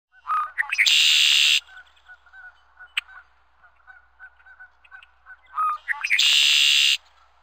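Red-winged blackbird giving two songs, each a few clipped introductory notes followed by a harsh, buzzy trill, repeated about five seconds apart over faint background chatter.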